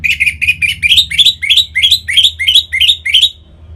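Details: Caged orange-headed thrush in song meant to set other birds singing: a steady series of about eleven loud, harsh notes, each sliding upward, repeated roughly three times a second, ending abruptly.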